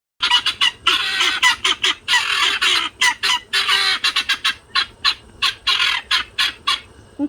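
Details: Ten-week-old pearl helmeted guineafowl free ranging for an extended time for the first time, sounding the alarm: harsh, loud, grating cries repeated rapidly in an irregular chattering series, several birds calling together.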